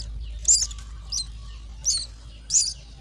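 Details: Myna chicks being fed in the nest, uttering four short, high, rasping squeaks in three seconds against a low steady hum.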